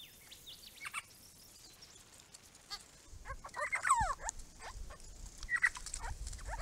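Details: Grey-crowned babblers, one of a small group visiting a garden pond built for them, give a few chattering notes and quick descending whistled sweeps that grow louder midway, over a faint hissing background.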